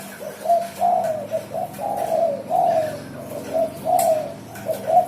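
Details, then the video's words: Spotted dove delivering a continuous song, used as a lure: gentle coos linked into repeated phrases roughly every second and a half, soft and hollow, over a faint constant hum. "SUARA DERKUKU GACOR"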